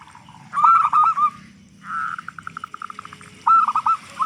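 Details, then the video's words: Big-voiced local zebra dove singing as a lure for other doves: a short burst of coos, then a fast rattling run of clipped notes that speeds up, then another coo burst. "Perkutut Lokal Gacor Suara Besar Pancingan Burung Perkutut Agar Cepat Bunyi"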